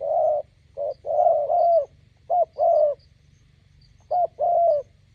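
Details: Spotted dove, a decoy bird beside a roadside meeting a wild bird, cooing in low, mellow phrases: a short note, then a longer throaty coo, the pattern repeated three times with pauses between, over a faint low hum.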